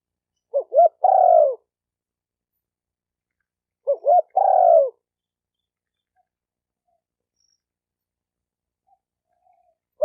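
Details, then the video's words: Two phrases from a spotted dove about three seconds apart, each a pair of brief rising notes leading into a long mellow falling coo, followed by several seconds of silence. "Tiếng chim cu gáy tập bổi chuẩn nhất chim hay"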